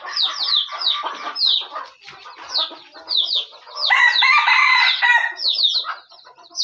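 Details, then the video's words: Junglefowl of Aceh used as a lure: rapid high chirps sweeping downward, broken by a loud rasping crow lasting about a second, then more chirps. "Ayam Hutan Aceh"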